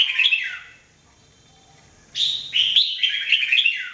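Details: A Jambul, the red-whiskered bulbul, sings in this 2017 training recording: a brief slurred whistle, a pause, then a longer lively string of rapid, chirpy whistled notes lasting almost two seconds.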